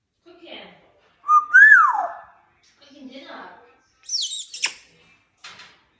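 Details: Talking pet African grey parrot, indoors, giving a loud rising-then-falling whistle, a burst of high squeaky notes, and mumbled speech-like sounds between quiet gaps.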